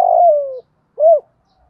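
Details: Spotted dove, 'thổ đồng' style call for stimulating decoy birds. One long, loud coo gently falling in pitch, followed by a single short rounded note, then silence.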